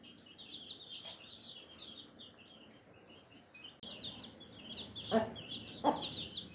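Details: Mother hen calling her baby chicks to eat strawberry. Two short, low clucks stand out near the end above continuous high, thin peeping from the chicks, with a steady high electrical whine in the background.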